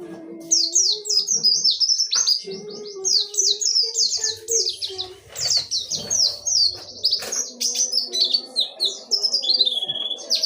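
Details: Oriental white-eye, a pleci, singing in the dakun wilis ngerol nembak style: rapid chains of high, sweet down-slurred whistles and chirps, tumbling and barely pausing, with faint low background hum beneath.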